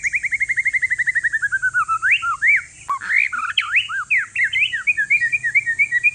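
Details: One-year-old white-rumped shama of Aceh forest stock, Indonesia, singing to prompt lazy shamas: a long fast series of repeated notes slowly falling in pitch, then varied looping whistles and rapid chips, over a steady high hiss.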